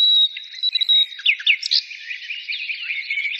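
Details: Birds singing: a long thin whistle opens, followed by a few loud curled chirps and softer busy twittering.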